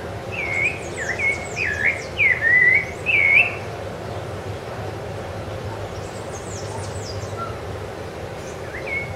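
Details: Sabiá-laranjeira, the Rufous-bellied thrush, recorded on Ilha do Governador in January 2013. A run of four or five rich, warbling whistled phrases comes in quick succession, then pauses while thin high chirps from other birds are heard.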